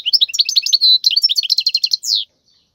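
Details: Wild European goldfinch singing to teach young goldfinches: a fast, lively string of twittered notes and trills closing with a descending buzzy slur.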